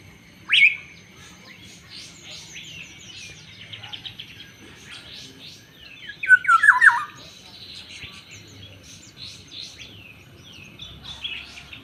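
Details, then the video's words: Black-naped oriole with one sharp, sudden note near the start, then later a louder run of rasping, downward-sliding nasal calls, set against scattered softer chirps from other birds. "burung kepudang khas suara asli"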